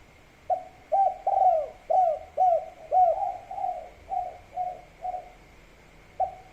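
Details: Spotted dove singing the kuk 3 gacor style over rice-field scenery: a run of short, mellow, hollow coos, some with a quick upward hook, delivered in an uneven series; a faint steady high tone underneath.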